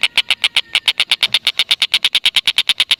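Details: Black-and-red broadbill in long, unbroken chatter used to lure lovebirds into calling; rapid rasping notes repeat about seven times a second, loud and even throughout.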